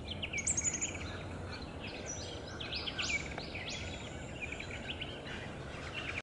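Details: Buff-rumped Thornbill at Bartley's Block, Chiltern-Mt Pilot National Park, Victoria, Australia, on 6 May 2021, giving thin, high twittering notes in quick jumbled bursts over a steady low background rumble.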